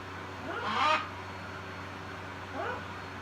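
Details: A pet macaw, talking during its evening preen, gives two short, hoarse, speech-like utterances, the first louder with a rising tone, the second softer about two seconds later, over a faint steady hum.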